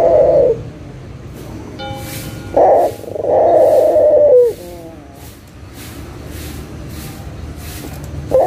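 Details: Local Barbary dove used as a lure to make silent doves call again: short low burst, then a long rolling purred coo ending in a downward slide, followed by faint thin tonal overtones and another burst.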